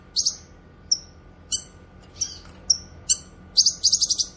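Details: Cucak kinoy in lively voice, meant for tutoring songbirds and attracting wild birds: scattered sharp high chirps and downward-sliding whistles, closing with a fast string of repeated bright notes over a soft background hum.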